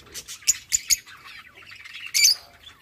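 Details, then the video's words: Lovebirds during mating: three loud, clipped squeaks in quick succession, then softer chattering and a final harsh, scratchy burst of squawking. "Lovebirds non-stop mating | Lovebirds mating sounds"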